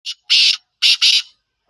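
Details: Black francolin, caged: a short harsh note followed by grating, buzzy bursts, then a close pair of rasping bursts, loud and clean against silence.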